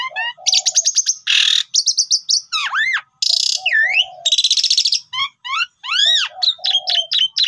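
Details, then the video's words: Jalak suren, or pied myna, in energetic lure song: ticking clicks, broad buzzy blasts, arching and dipping whistles and short low nasal notes tumble together almost without a gap. "Suara Emas Super Panjang Cocok Buat Pancingan Semua Burung Pasti Nyaut (Jalak Uren Gacor Full Isian)"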